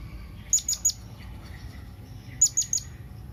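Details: Blue-crowned hanging parrot calling to its companions, a sound used to draw other birds in. Two bursts of three very high, thin, sharp chirps, the bursts about two seconds apart, over a quiet low background hum.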